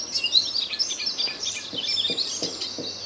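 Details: Icterine warbler in full song in a tree line near Midsland, Terschelling, Netherlands, on 20 May 2014; dense high chattering phrases and thin whistles run continuously, with faint low knocks underneath.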